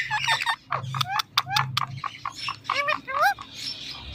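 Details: ['Indian ringneck parrot mimicking speech, with clipped, clicky syllables and a few rising, curling voiced notes over a low steady hum.']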